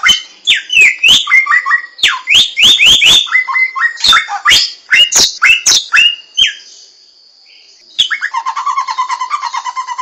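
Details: Hwamei singing in the wild: a loud, varied run of slurred whistles and sharp chirps that rise and fall quickly. A short pause follows, then a buzzy, rattling trill.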